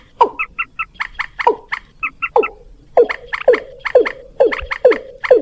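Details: Rail lure call played alongside watercock to draw birds in: bursts of short doubled nasal notes, then a steady run of sharp descending swoops, roughly two per second.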